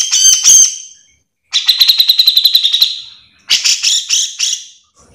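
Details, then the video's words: Grey-cheeked bulbul in lively, nonstop song used as a master recording to train or provoke others of its kind: three bursts of harsh, rapid, buzzy notes, each chattering phrase about a second long, separated by short silences. "Cucak jenggot gacor full mbeset - MASTERAN WAJIB"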